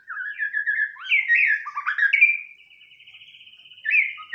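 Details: A White-rumped shama (murai batu) performs a pancingan lure song: a chattering warble rises into loud sweeping whistles, then a long buzzy rattling trill, and ends with a fresh whistled phrase.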